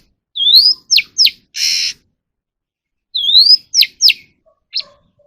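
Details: {'caption': 'Captive Oriental magpie-robin song for voice training: an upslurred whistle, two sharp downward sweeps, a harsh buzzy burst, then the whistle and sweeps repeated.'}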